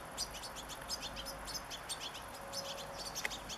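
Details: Young European goldfinches, a family of five in a garden on 27 August 2014; quick, thin, high twittering chirps come in rapid bursts throughout, several birds overlapping, over a steady soft background hiss.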